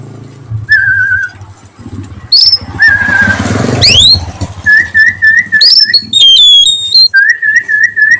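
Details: Oriental magpie-robin (kacer) singing melodiously in the afternoon in the nyiul style: long, level whistled notes alternate with higher clear whistles and quick upward-sweeping notes. A brief burst of rustling noise falls midway, over a steady low hum.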